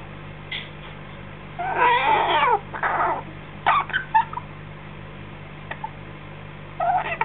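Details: 6-week-old baby African grey parrot, just fed and chatting, gives raspy, wheezy squawks and short chattering notes in uneven bursts, over a low steady indoor hum.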